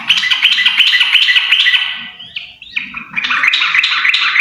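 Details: Dense, overlapping song from a yellow-vented bulbul pair: fast, bright bubbling notes, a short rising-and-falling slurred phrase midway, then another burst of rapid, jumbled warbling.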